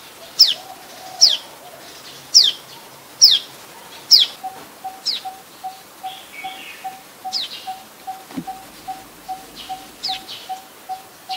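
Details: Common tailorbird, adult, Ubon Ratchathani, Thailand, 27 January 2021: five loud falling notes about a second apart, then quieter pulsed notes, while a steady low buzzing tone pulses in the background.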